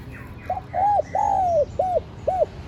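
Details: Clear, close spotted dove coo, played to lure wild doves: a soft short note, a rounded coo, a long gently falling coo, then two short rounded coos in quick succession.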